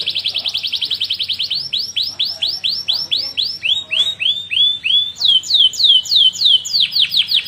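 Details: Canary in full song for training other canaries: a quick trill opens into a long series of falling slurred notes, a short pause, then more swoops and a closing rapid trill.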